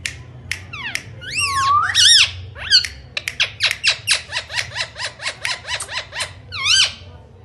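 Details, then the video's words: Indian ringneck parakeet, a talking parrot, giving a rapid series of sharp, harmonic-rich squawks and rising-falling whistled notes, about a dozen short calls packed into the later seconds, with a low indoor hum behind. "Talking parrots real voice ringneck"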